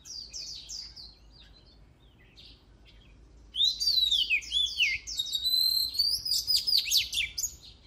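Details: Oriental magpie-robin song, opening with soft scattered chirps before a loud, fast stream of varied whistles, slurs and high trills.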